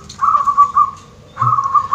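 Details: Zebra dove (Geopelia striata), a caged perkutut with an unusual tuft of feathers growing on its chest, gives two short runs of soft, clear cooing notes at a steady mid pitch, each under a second, with a quiet pause between.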